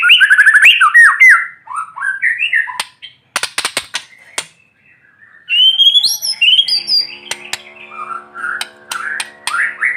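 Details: White-rumped shama singing in the morning sun as a lure for shamas that will not sing; varied whistled phrases broken by loud clicks and short silences, with a faint steady hum later.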